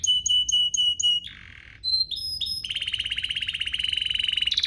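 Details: Canary singing to provoke other canaries into song: short repeated whistled notes, a harsh buzzy section, clear single whistles, then a long fast rattling trill that speeds up toward the end.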